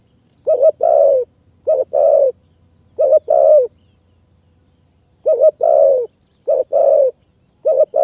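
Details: Spotted dove at a decoy-trapping site in mountain forest of Kanchanaburi, Thailand; low two-part phrases, a short doubled note then a drawn-out descending coo, given six times with a pause midway, clean and close.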